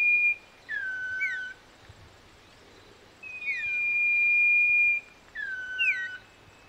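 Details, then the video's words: Common iora singing pure, clear whistles: short notes that slur downward, then one long level whistle held for nearly two seconds, then another falling phrase. "cipoh kacat, burung kebun bersuara merdu dengan gaya kicau yang indah"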